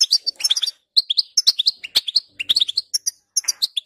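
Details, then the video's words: Goldfinch song used to get a goldfinch singing: clear, loud, high chirps and quick twittered notes in short runs, with crisp gaps between phrases and no other sounds. "10 Minutes To Make Your Goldfinch To Sing!"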